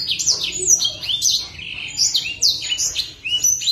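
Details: Copper-throated sunbird (blacksang), a kept bird singing actively, pours out a fast jumble of thin, high chirps and sharp descending slurred notes, packed tightly together with barely a pause.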